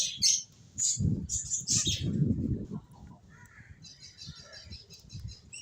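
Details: Finches give sharp, high chirps early on, then a softer, lower-pitched series of short notes and a quick run of repeated high peeps, with rustling underneath.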